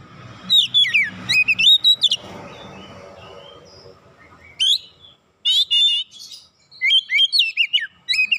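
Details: Oriental magpie-robin in full song: looping, warbled whistles that swoop up and down, a lull, then two more bursts of quick, varied whistled phrases, with low murmur early on.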